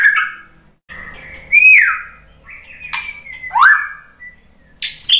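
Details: White-rumped shama (murai batu) singing in reply to a lure recording: clear whistled notes, slurred downward and upward sweeps with long gaps between phrases, ending in a sharp high burst.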